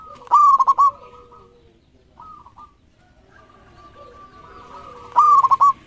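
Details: Zebra dove, local type, delivering a loud clipped series of four rolling coo notes, then quieter soft coos, and another loud stuttering coo phrase at the end.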